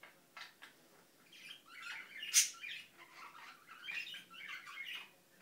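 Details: Pet Indian ringneck parakeet mumbling quietly, a soft, continuous chatter of low scratchy murmurs with one sharper squeak in the middle.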